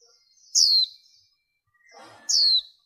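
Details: Two loud, high notes falling steeply in pitch, each followed by a brief buzzy trail and a faint low rustle between them, from a female warbling white-eye in a cleaned recording meant to excite males and lure wild birds.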